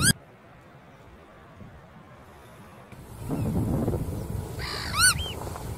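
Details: Bar-tailed godwit calls: a brief nasal note at the start, a quiet stretch, then a louder arched, harmonic call near the end as low rumbling background noise rises.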